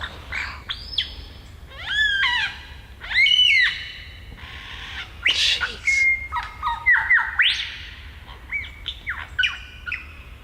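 A superb lyrebird runs through a varied string of borrowed sounds: ringing whistles, slurred tones and sharp clicking bursts like a camera shutter.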